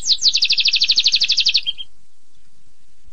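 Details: Canary singing a fast, even trill of bright, high notes, about a dozen pulses in a bit over a second, ending in a short buzz, followed by near silence.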